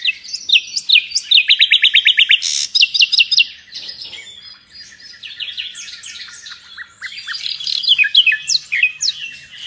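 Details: Nightingale in full song: a loud rapid string of identical descending notes, then a harsh burst and a chain of sharp varied phrases, pausing briefly before resuming with rising, scratchy trills and high whistles.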